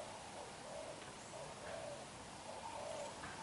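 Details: Black-eyed young spotted dove, wild-caught, cooing: quieter, muffled low coo notes in loose pairs beneath steady background hiss.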